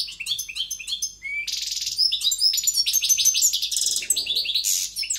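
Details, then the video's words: European goldfinch in forceful song, a dense run of rapid tinkling notes mixed with harsh buzzy bursts and liquid twitters, almost without pause. "JILGUERO CANTANDO"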